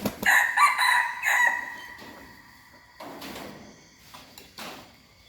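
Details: Young hybrid red junglefowl rooster learning to crow: a short hoarse crow of a few rough, broken syllables in the first second and a half, fading into quieter scratchy rustling and faint noises.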